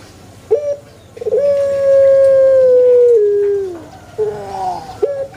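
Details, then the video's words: Prized Pelung rooster giving a long, drawn-out crow: a steady, ringing tone held for about two and a half seconds, then sliding down at the end. Short clipped notes come before and after it over a quiet background. "puter pelung Andalan"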